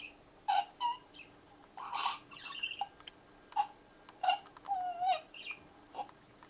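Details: A parrot feeding at a feeder chatters in short bursts of chirps, squeaks and bent whistles, about one or two a second, with a hollow echoing ring over a faint hum; owner thinks it likes the feeder's echo.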